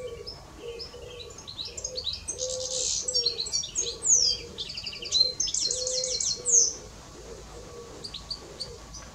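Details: Goldfinch song of bright twittering and jingling high notes in fast bursts, over a lower, regularly repeated hooting coo heard roughly once a second throughout.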